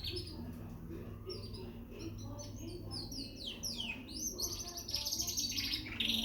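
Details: Young Frill canary in Peshawar singing softly at first under low room noise and faint voices, then building into louder high trills, sweeping notes and quick rattled phrases toward the end.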